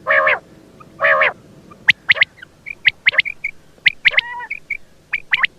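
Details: Quail calls: two low, rasping, harmonic squawks are followed by a rapid run of short, sharp, high chirps and clipped whistles. The background is quiet.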